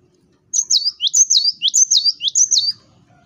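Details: Lure song of an actively singing cinereous tit, meant to provoke rival birds into singing: a quick run of about eight high, sharp whistled notes falling and rising in paired phrases, steady and loud.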